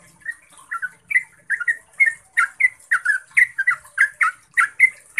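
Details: Yellow-vented bulbul, called trucukan, singing a long, clear ropel song used as a lure to make caged bulbuls sing. It gives a quick run of bubbly, chirping notes, about three per second, growing louder and more even toward the end.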